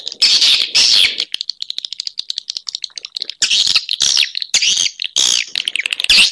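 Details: Swiftlet lure sound to attract swiftlets; loud buzzy chatters alternate with rapid rattling click trains, repeated in bursts.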